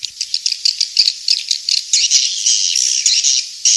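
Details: Swiftlet calls: a quick series of sharp, high clicking chirps that merges into sustained buzzy twittering toward the end.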